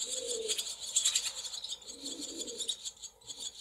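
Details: A brood of barn swallow chicks in a cowshed containing several nests, recorded 28 July 2024, gives a continuous wash of shrill, hissy high squeals that pulse rapidly, over faint low cooing.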